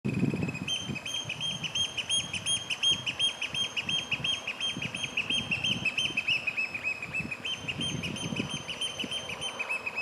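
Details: Eurasian oystercatcher, a ringed bird, in early June 2022 on River Wharfe banks and shingle in the Yorkshire Dales. It gives loud courtship/territorial display piping, shrill and fast at about three per second, dipping slightly midway. Recorded from a fair distance; wind rumbles underneath.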